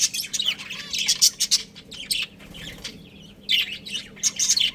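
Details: Budgerigars from a breeding pair give loud bursts of squeaky chirps and warbles, with a quieter stretch mid-way before the chatter resumes in sharp clusters.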